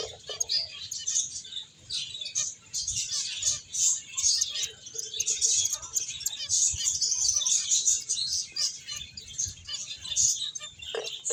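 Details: Finches chattering as they play and eat, a steady wash of high, fast chirps and tweets from many birds with quick sharp notes standing out.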